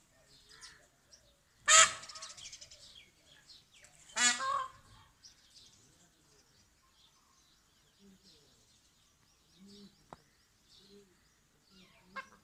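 A peacock gives two loud, harsh, wailing blasts a couple of seconds apart, followed by soft low clucks and a sharp click.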